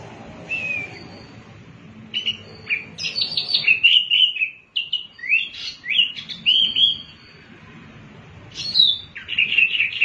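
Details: Wambi mini in vigorous song, meant as a calling lure for other birds: varied sharp whistled notes and short bursts, some downslurred, delivered in irregular clusters with brief pauses and a soft low hum behind.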